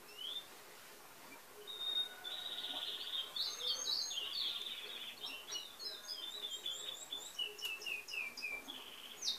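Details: A wild chestnut-backed tanager, recorded on the morning of Sunday 25 August 2019, gives thin, high, sibilant notes in quick twittering runs, some sliding down in pitch, against faint background hiss.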